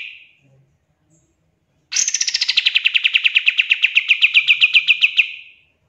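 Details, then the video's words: Pied triller song used to train songbirds: one sustained trill of sharp repeated notes that begins high and steps down, roughly four notes a second. "PANCINGAN KAPAS TEMBAK FULL TEMBAKAN COCOK BUAT MASTERAN"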